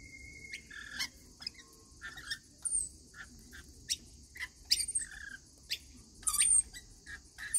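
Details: Rainbow lorikeets at a daily feeding: a busy run of short, sharp chirps and squeaky notes with a few brief flat whistles, coming in quick clusters from several birds over a quiet low hum.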